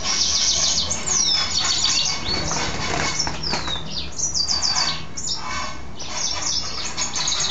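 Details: Pet mule goldfinch singing after a bath: scattered quick downslurred whistles and sharp twittering notes, interspersed with dry rustling, probably wing flutters, in the background.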